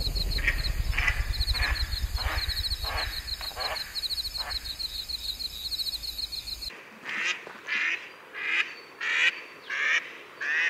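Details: Pacific black duck calling with a series of loud, harsh, evenly spaced quacks. The first part carries a steady high insect-like buzz behind the duck. The final quacks stand out clearly against a quiet background.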